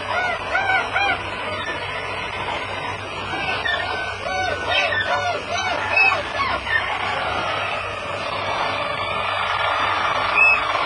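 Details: Caged Harzer Roller canary males in training, deep-toned singers picked for a championship; low, rolling series of repeated notes in quick rhythm, some rising and falling, with a few higher accents and steady background hum.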